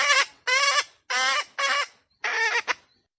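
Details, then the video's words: Wild junglefowl giving five loud, harsh, nasal squawks, each about half a second long, in a quick uneven series with short gaps between. "The Sound of wild chickens"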